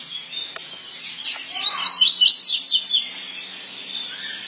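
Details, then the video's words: Tui tui song of a double-collared seedeater, a coleiro pardo: a faint click, then a lively high phrase of rapid, sharply modulated whistles repeated several times over nearly two seconds before fading. "COLEIRO PARDO COM CANTO TUI TUI"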